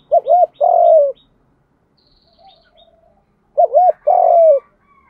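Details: Spotted dove cooing in the 'Đồng' voice style, used to stir young captive males into cooing: two phrases about 3.5 seconds apart, each with two short looping notes and then a long, falling, hollow coo. Quiet between phrases.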